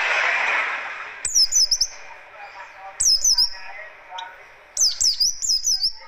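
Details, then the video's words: Oriental white-eye of the buxtoni form in a fast, dense, rough 'tembakan kasar' song for luring and tutoring: three separate bursts of high, chattering, down-swept whistles, the clip opening with a wash of broad background noise. "Tembakan Kasar Buka Paruh Burung Pleci DaKun"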